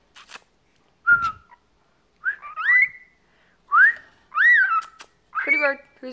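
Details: A chattering 14-year-old male pet cockatiel whistles a string of short rising notes, some sliding upward and others arching, with pauses between them. A person keeps repeating "pretty bird" to it indoors.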